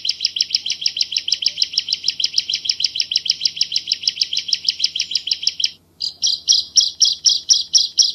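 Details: Javan bar-winged prinia giving a clear, tightly packed tutor song: a quick train of sharp, high chips about seven per second, then after a short gap slower, louder, sweeping notes; faint background hum.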